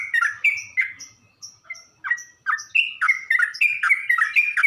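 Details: Lure song of a sooty-headed bulbul, meant to draw a reaction from other bulbuls. Quick series of liquid, downslurred chirps and short thin high notes, growing busier and rising slightly toward the end.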